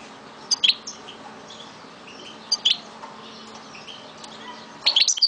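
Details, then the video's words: Pet Algerian goldfinch from Souk Ahras, Algeria, giving three short, high twittering chirps spaced about two seconds apart over a low steady hum. "Chant de Mon Chardonneret De Souk Ahrass"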